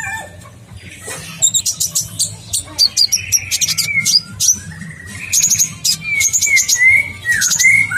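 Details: Kolibri ninja, a sunbird, singing actively in a long rolling song: sharp high chirps and short upswept whistles, then a series of quick descending slurred whistles, over a low steady hum.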